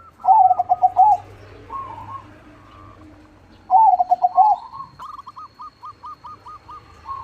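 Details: Big-voiced crossbred zebra dove in active song gives two loud, bubbling coo phrases about three seconds apart, followed by a neighbouring dove's evenly spaced series of short, clipped coos.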